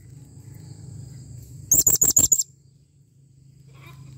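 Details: Blue-crowned hanging parrot (serindit) calling with a clear voice: a quick burst of five very high, thin, sharp notes in under a second, over a low steady hum.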